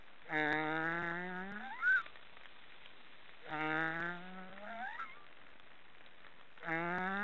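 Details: Black storks snoring: three drawn-out nasal calls about three seconds apart, each a low rising harmonic-rich drone ending in a higher squealing whistle, with quiet pauses between.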